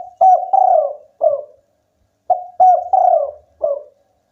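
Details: Spotted dove, a local bird singing eagerly: two matching phrases of four deep, mellow coos, a short note, two longer rolling coos and a falling final coo, separated by a brief pause.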